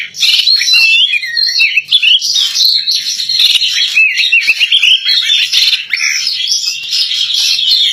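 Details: Female white-rumped shama kept as a songbird, singing energetically: a loud, sustained medley of slurred whistles, quick up-and-down warbles and chattering trills flowing continuously, with only a brief dip midway.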